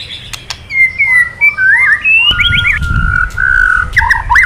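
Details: White-rumped shama, male, stirred to sing by recorded calls: a flowing series of clear whistled phrases, some long and level, others wavering and looping, with a low rumble in the background.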